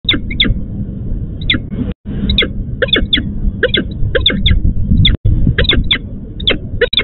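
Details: Female peregrine falcon in Łódź, Poland, calling to her male, who failed to appear for the nest change: harsh, clipped notes in quick pairs and runs, repeated steadily over a low rumbling background.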